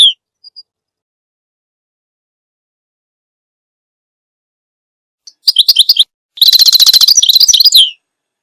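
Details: Mostly quiet at first, then a goldfinch bursts into song: a short run of bright chirps followed by a rapid, dense trill of tinkling twitters lasting over a second.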